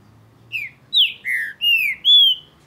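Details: Green-winged saltator, true trinca-ferro, singing heavily in the breeding and tournament season. It gives five loud, clear whistled notes in about two seconds, some slurring downward and some held level, over a quiet background.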